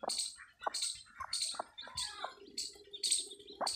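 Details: Desi hen's newly born chicks on a farm: bright high peeps in short bursts about twice a second, plus a brief low droning tone midway and light tapping.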